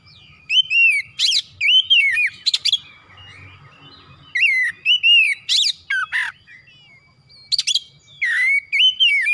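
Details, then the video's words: Oriental magpie-robin in full, lively song showing off its repertoire: groups of bright whistles that curve up and down, broken by raspy buzzy notes and brief pauses, with the phrases returning again and again. "TERAPI MERANGSANG KACER CEPAT EMOSI GACOR BONGKAR ISIAN"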